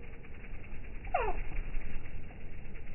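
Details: Hummingbirds recorded in slow motion, so the sound is slowed down: one clear descending chirp with stacked overtones sweeps downward in the middle, over a steady low rumbling background.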